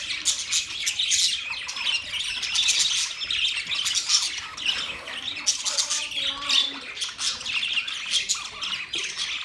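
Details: A flock of budgies in busy chatter, overlapping high chirps, squeaks and warbled notes running without pause, with faint lower sounds in the background.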